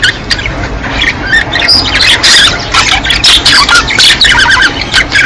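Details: Budgerigar flock sounds from the breeding season, played to encourage pairs to mate; irregular squawks and bright chirping notes tumble over one another, several birds at once.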